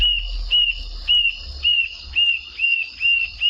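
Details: Rufous-tailed Jacamar from the Brazilian Cerrado: thin, high whistled notes, each slightly falling and sustained, repeated about every half second in a steady series. Faint low rumble in the background.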